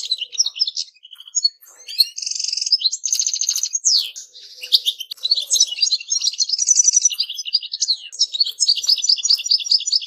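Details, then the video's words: Extended goldfinch song, lively twittering with buzzy trilled stretches and quick chirp series, varying constantly over about ten seconds. "Goldfinches - amazing song"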